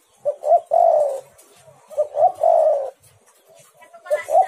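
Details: Spotted dove lure call to make other doves respond; two quick coos then a long falling coo, repeated, a third phrase with some hiss at the end.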